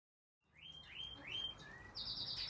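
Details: Red-crested cardinal (Paroaria coronata) breeding in an outdoor community aviary gives three quick rising whistled notes and a lower slurred note, then a high buzzy burst from another small bird, over soft background noise.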